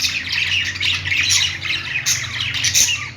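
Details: Pet budgies squawking and chirping together in a short, busy burst of overlapping high chatter, with a couple of louder sharp notes near the end.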